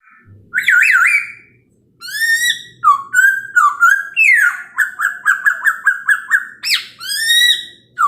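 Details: Chinese hwamei singing in the morning, used to provoke other birds into answering: loud, clear whistled phrases, some sliding upward, then a fast run of short repeated notes, with rich ringing overtones after a brief pause.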